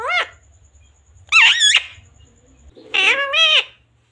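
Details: Pet parrot talking, mimicking Hindi words such as "mummy" and "papa": three high, nasal, speech-like syllables with wavering rising-falling tones, separated by pauses, indoors with a faint low hum.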